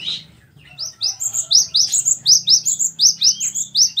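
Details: Cinereous tit song, a master recording for captive birds: high, bright two-note phrases repeated in an even cadence, about three per second, with a soft low hum underneath.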